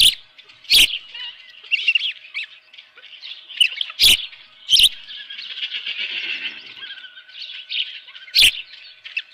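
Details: Morning recording from an osprey nest at Dunrovin Ranch, 24 June 2018, 7:32 AM, bird holding a live fish. Continuous high, thin chirping and squealing notes, broken by several sudden loud broadband thumps.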